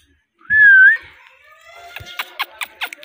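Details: Pet rose-ringed parakeet, a ringneck kept as a talking bird, gives a loud steady whistled note that dips slightly and then rises. Softer fluttering whistles follow, along with a run of sharp clicking chirps.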